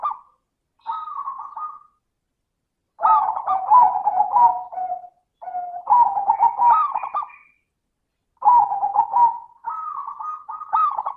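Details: Zebra dove with a crystal-clear voice, singing as a lure to get lazy doves to sing: five bubbling, stuttering cooing phrases of varied length separated by short silences, with no other sounds.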